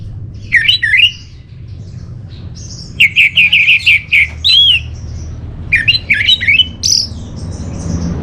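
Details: Orange-headed thrush song for luring and tutoring caged birds. Three clear phrases of rapid, looping whistled notes, each a quick series of rising and falling slurs, are separated by short pauses, with faint thin high notes between.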